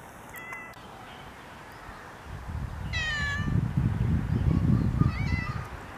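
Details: Several common mynas (Acridotheres tristis) among groundsel plants in Kiryat-Yam, Israel: a loud, rich harmonic note that bends down, followed later by shorter wavering whistles, with strong low rumbling noise building in the background.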